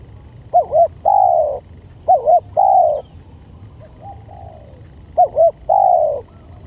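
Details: Repeated spotted dove lure call: three full phrases roughly every two to three seconds, each a pair of short bent notes and one long sliding coo, plus a softer partial phrase between.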